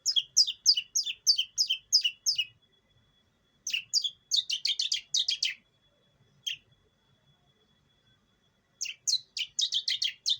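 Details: Hand-raised long-tailed shrike from East Java used as a lure: fast runs of scratchy, buzzy notes, about seven in quick succession, then pauses and further chattering clusters, with a thin steady whine behind.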